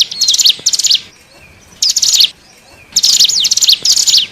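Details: Hill prinia lure call used to attract wild birds: high, thin, rapid chattering bursts of sharp zigzag notes, each burst under a second, separated by pauses with faint background hiss.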